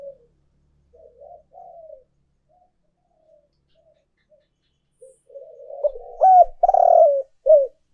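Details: Decoy recording of a spotted dove giving urging and calling coos. Soft, scattered low coos build into a loud phrase near the end, with a sharply hooked note, a long grating syllable and a short final coo.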